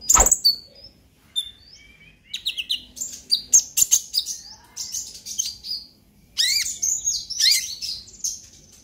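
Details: Purple-throated sunbird, a young brown-breasted konin, singing ngobra emosi to stimulate other birds: bursts of high, rapid twittering and downslurred whistled notes separated by short silences, growing louder and busier toward the end.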